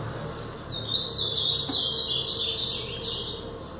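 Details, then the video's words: A brown-plumaged Blue-black grosbeak sings the Paraná style: a continuous, high, wavering warble lasting about three seconds, half buried in steady broadband background noise and a low hum. "Azulão Paraná pardo"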